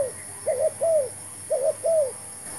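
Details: Spotted dove used in trapping with a new decoy bird: loud paired coos around 600, a short note then a longer arched one, repeated about once a second, over faint background hiss.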